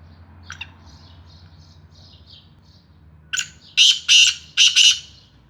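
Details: Black francolin (Sindhi kala teetar) calling: a few faint thin high notes, then a loud harsh grating phrase of four rasping bursts in quick succession near the end over a low background hum.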